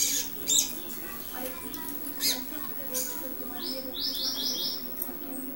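A young double-collared seedeater tries out its first song: soft, scattered high chirps, then a quick run of four or five thin, level notes, over a low indoor hum.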